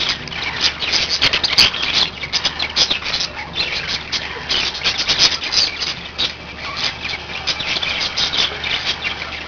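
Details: Five pet budgerigars chattering together: dense, scratchy warbling and quick squeaky chirps tumbling over one another without pause, over a steady low mechanical hum.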